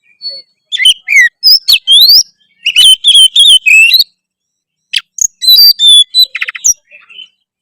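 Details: Oriental magpie-robin in energetic song, with bright rising whistles and sharp chattering notes in irregular bursts, a short buzzy trill, and silent gaps between phrases.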